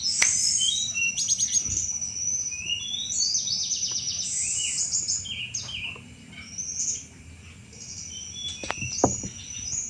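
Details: Sunda robin in chattering song, a lure for thrushes; quick high twitters, short rattles and sharp slurred whistles tumble together, fading quieter after six seconds, with a few faint clicks and low background noise.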